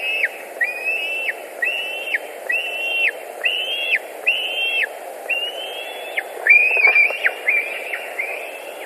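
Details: White-tailed eagles at their Latvian nest, 10 August 2019: a long chain of high, flat-topped yelping notes, each stepping up and dropping away, repeated steadily, with a brief rough clatter near the end over background hiss.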